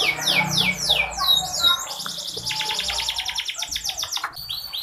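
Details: Female canary voice used to trigger singing in lazy male canaries; descending sweeps, then long buzzy rattling trills with rapid pulses and varied whistled phrases.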